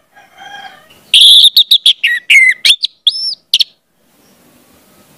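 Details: Orange-headed thrush; song; training young birds to sing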